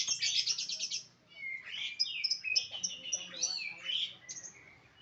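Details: Lovebird chattering continuously, with rapid harsh buzzy notes at first followed by a jumble of squeaky, twittering chirps and warbles.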